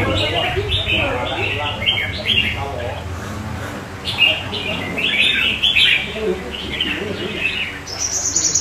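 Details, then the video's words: Red-whiskered bulbul singing in company with other nearby bulbuls: bright, chattering phrases of rising and falling whistled notes, with a human voice talking and a low hum underneath. "Chào mào Mào Lân Chơi tốt với các CB xung quanh khác"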